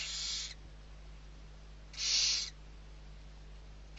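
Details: Barn owl owlets, six being fed, at Riet Vell reserve in Spain's Ebro delta on 21 November 2023; two drawn-out, breathy screeching hisses, one at the start and one midway.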